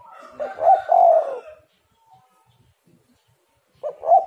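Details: Spotted dove calling, played as a lure to get reluctant doves calling: a low, throaty, rolling coo phrase of two joined notes, then silence, then the start of another coo near the end.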